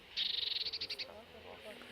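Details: Eurasian blue tit alarm call, given on seeing danger and often on seeing humans: a fast, high, churring rattle of about fifteen notes in under a second, slowing at the end, then quiet.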